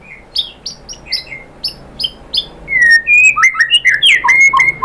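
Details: White-rumped shama song for provoking other birds to sing and reveal their material: soft, short chip notes at first, then a burst of louder, rapid and varied whistles and slurred sweeps.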